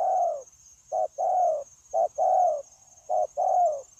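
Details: Wild-caught spotted dove, recorded 9 January 2024 while being used for trapping, cooing steadily: low hollow paired notes, a short 'cu' followed by a longer drawn-out 'coo', repeated about once a second, over a constant thin high whine.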